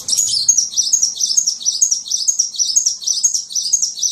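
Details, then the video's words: Sunbird singing on a masteran recording meant to train songbirds: an unbroken stream of very high, fast twittering and chattering notes. It runs steadily for the whole stretch, with no pauses and no other clear sounds. "Masteran burung Kolibri"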